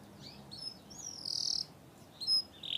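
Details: Canary, called a cenourinha, singing softly; scattered high chirps and whistled slurs, with one brief louder note near the end.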